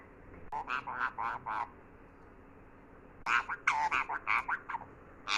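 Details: Talking parrot with two bursts of chattering, speech-like syllables, a short run of four or five, a pause, then a longer, faster run, over a low hum.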